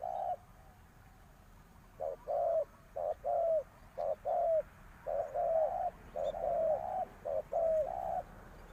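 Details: Decoy spotted dove calling to draw in wild birds: a steady series of soft, low coos, clipped short notes alternating with drawn-out, downslurred ones, delivered in rhythmic pairs with brief pauses and little other sound.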